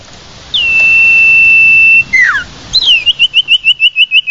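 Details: Lure call of the common iora for drawing the bird in. One long, steady, high whistle drops into a quick descending slur. A rapid, regular train of short hooked whistles follows, over low background hiss.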